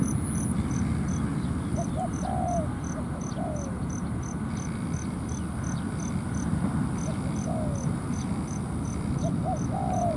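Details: Spotted doves at a ground trap, decoy against wild dove in a territorial contest: faint, sparse coo phrases of quick short notes and a descending slur, behind steady insect pulses and heavy low rumble.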